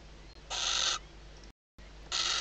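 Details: Female barn owl calling from inside a nest box in the Ebro Delta's Riet Vell reserve at night, shortly before hatching, as the male arrives. Two breathy, hissing screech bursts separated by a brief gap, over a quiet low hum.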